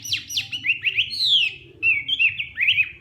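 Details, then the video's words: Hwamei singing a morning training song: rich, varied phrases of rapid whistles, upslurs and downslurs, some sweeping notes and repeated trills, delivered in quick bursts with short pauses. "Hoạ Mi Hót Đấu /hoạ mi hót sáng luyện giọng"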